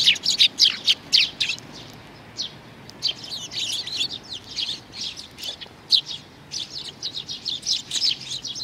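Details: Fledgling sparrow giving bursts of fast high chirps, a loud run at the start, a brief lull, then renewed quicker chirping toward the end.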